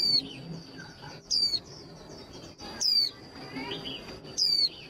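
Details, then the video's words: Female white-eye calling to excite males into fast trilling for singing contests: four sharp, high, downslurred chirps roughly every 1.4 seconds, with faint soft twitters between them over a steady thin high whine. "Tiếng khuyên mái kích trống nhanh líu"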